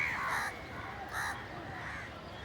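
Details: Crows squabbling for food in a village, two loud hoarse caws in the first second, then fainter calls under constant background noise.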